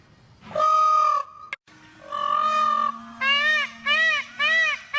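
A peacock gives two loud, drawn-out nasal wails, then a run of short, arched honking notes about twice a second.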